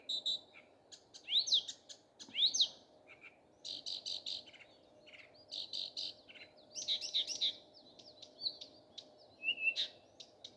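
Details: Morning song of a common nightingale: loud, varied phrases with sharp clicks, rising and falling whistled slurs, and rapid repeated notes, broken by brief pauses. A soft steady hum runs underneath.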